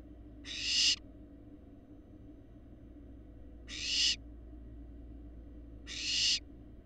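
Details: Large barn owl fledglings on a live Florida nest cam, eggs laid in January 2022, give three rasping, noisy screeches roughly three seconds apart, each rising in loudness and ending abruptly, with a constant low electrical hum underneath.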